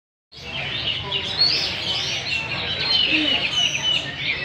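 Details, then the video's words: Wild-caught adult hwamei (Garrulax canorus) singing and dancing in a caged singing competition; rapid, rich warbling phrases with whistled slurs, continuous and varied, starting after a short silence. "Chim họa mi múa hót đấu giàn"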